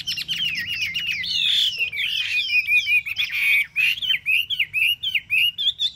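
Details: A caged Chinese hwamei, three months in captivity, sings sweet wavering whistles that slide and loop, followed by a run of sharp rhythmic repeated notes in quick succession.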